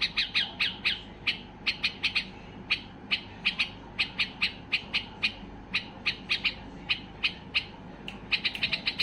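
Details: White-eared bulbul in a highly excited state, singing to set silent bulbuls singing: a long run of sharp, bright chirped notes, closely spaced and repeated in quick bursts with brief pauses, over a steady low background hum.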